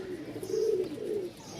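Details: Pigeons at a Mirpur, Dhaka pigeon market, a low, drawn-out cooing phrase that swells and falls twice within about a second, with faint background hiss.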